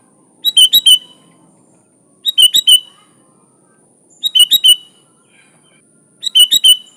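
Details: Sooty-headed bulbul in energetic 'gacor' song with 'isian alam' fills, meant for training other bulbuls: four bright bubbly phrases of three to four notes, repeated about every two seconds, with a constant faint high whine.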